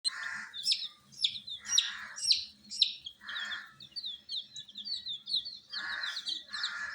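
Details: Several colour-dyed domestic chicken chicks, kept indoors under supplied heat, give rapid overlapping high chirps, each sliding downward, in a steady stream, broken by short soft rushing bursts of lower noise.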